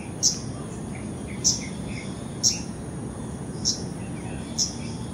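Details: Arctic warbler calling: short, sharp, high notes repeated about every 1.2 seconds, five in all, with a few faint lower chirps between them over a steady low rumble of background noise.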